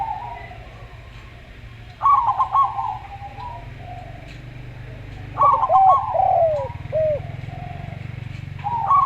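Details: Slow-voiced local Zebra dove together with a calm Javan Spotted dove: clusters of quick staccato trilled notes and several short curved coos, separated by pauses, over a steady low hum.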